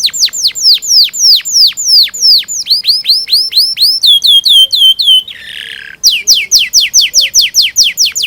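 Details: Canary singing a long, continuous song used to train young canaries to sing: fast runs of sharply descending whistled notes, then rapid chirping trills and a buzzy passage, repeated several times a second without pause.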